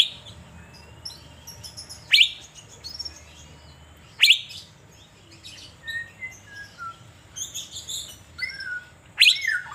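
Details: Caged Asian fairy-bluebird being sunbathed in Banjarmasin. Loud, sharp upswept notes come every two to five seconds, with soft falling whistles and twitters between them.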